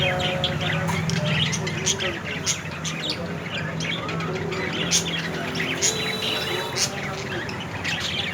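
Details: Yellow Indian ringneck parakeet, a talking pet bird, giving a run of short, harsh chirps and squawks about once a second, over steady background hiss and a low hum.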